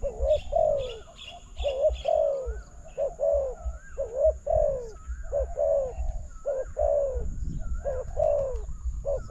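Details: Lured by a decoy into a trap, a spotted dove repeats its song about eight times: a quick note and then a longer, falling, throaty coo. A thin rising whistle recurs above it and distant twitters are audible.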